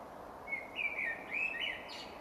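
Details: A Common Blackbird sings one mellow, fluty warbled phrase lasting just over a second, ending in a thin, high twitter, with faint background hiss. Its phrases are improvised and separated by long pauses.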